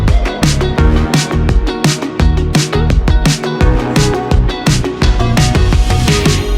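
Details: Loud electronic dance music with a driving drum beat and bass fills the whole stretch, and no animal can be heard.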